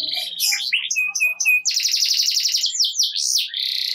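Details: Canary singing steadily to encourage silent canaries to join in: scattered sharp chips and short flat whistles give way to a rapid rolling trill and bouncy upslurred notes, bright and high.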